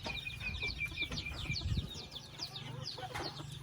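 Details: Chicken family house with rapid, high, falling peeps repeated many times a second over a low droning hum.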